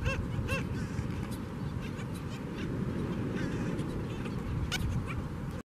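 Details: Black Skimmers at a colony, 12 June 2018: nasal, barking yaps, two close together at the start and fainter ones scattered after, over a steady roar of wind or surf.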